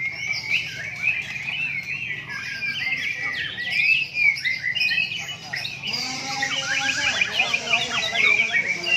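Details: White-rumped shama singing at a bird singing contest in Palembang, Indonesia: dense, fast whistled phrases with sweeping slurs and chattering notes, possibly several birds overlapping, over a low background hum of people talking.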